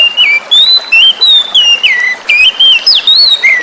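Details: Forest-caught oriental magpie-robin song played as therapy to coax silent birds into singing: clear whistled phrases sliding up and down, some rising, others falling, about 44 phrases per minute, over steady flowing-water hiss.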